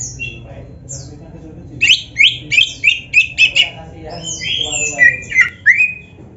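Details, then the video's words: Energetic Oriental magpie-robin song used to stir caged birds to sing: a run of sharp, rising chirped notes about three per second, followed by harsher squeaky and slurred whistles. "SUARA KACER GACOR FULL ISIAN"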